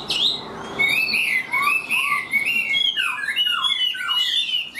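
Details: Caged Chinese hwamei, tame enough to sing while held, delivers high, bright, tumbling whistled phrases that slide up and down with little pause.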